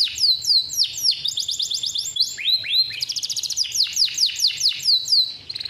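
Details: Caged male canary with a long roll, used to teach young canaries and rouse lazy singers: repeated falling whistles, a quick mechanical trill, more swooping notes and a brief buzzy ending, all high-pitched and continuous.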